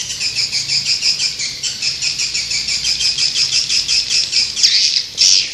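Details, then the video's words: Swiftlet lure call for attracting birds: a steady, buzzy high chatter pulsing about five times a second, with a brighter burst near the end. "Suara burung walet panggil 7"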